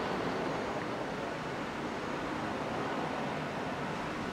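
Steady, rushing wind and water noise with a low rumble throughout; no animal calls are heard.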